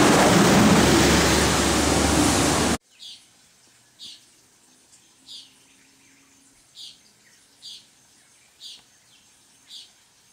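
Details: A Puerto Rican tody (Todus mexicanus), an endemic forest bird of Puerto Rico, gives short, high, nasal beeps at a steady pace of roughly one per second, after an opening burst of loud rushing noise.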